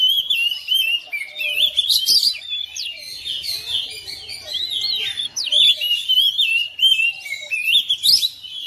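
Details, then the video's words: Domestic oriental magpie-robin answering another bird within seconds, pouring out a rich, varied song of high whistles, slurred phrases and rapid chattering notes with no pause. "KACER RUMAHAN RESPON NYAUT IKUT GACOR"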